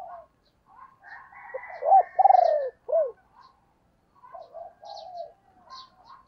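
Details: Female spotted dove calling to stir up male decoy birds: soft low coos build into a loud arched note, a rapidly pulsed rolling coo and a final falling hoot, then quieter murmuring coos and faint high chirps.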